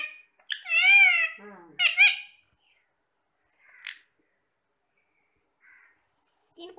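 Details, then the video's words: Several pet parrots talking while eating apple: a loud, wavering whistled phrase with bending tones, then quick squeaky syllables, followed by faint scattered chirps and short squawks amid quiet pauses. "Talking parrots"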